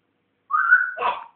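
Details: Pet African grey parrot, learning to talk, gives a clear whistle that slides gently upward and holds, then breaks into a rougher, throaty trailing note; quiet indoor setting.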